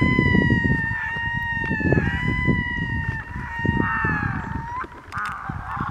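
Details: Red-throated loons giving long, sustained moaning wails that hold steady and then dip slightly, several overlapping, over a constant low rumble of wind or water.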